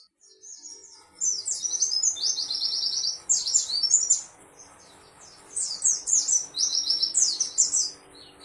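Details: White-eye song in two long bursts of rapid, high, thin twittering and warbling notes, the first burst starting near one second, the second after a short pause near five seconds, with faint steady hum underneath.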